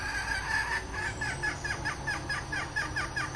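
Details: Decoy red junglefowl hen calling in full, a rapid series of short clucking notes, roughly two per second, that grows steadier toward the end over low background noise.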